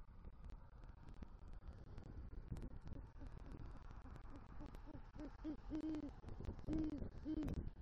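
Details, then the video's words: Great horned owl pair at a Southwest Florida eagle nest, November 2023 night, the male arriving with rodent prey and calling for the female; after a quiet stretch, a series of low hoots grows louder toward the end. "Male GHO Brings Rodent Prey To Nest & Calls For Female"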